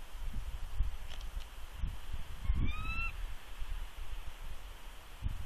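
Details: Nesting female bald eagle at Big Bear, 3 February 2020, calling a warning at an intruder eagle perched above: one thin, upslurred whistled note with harmonics midway, surrounded by rumbling wind gusts.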